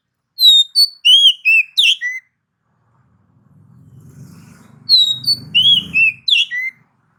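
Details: Singing oriental magpie-robin whose song is meant to make other males angry and agitated: two bursts of clear, rich whistled notes, each quick descending and rising phrase separated by a silent gap with faint low rumble.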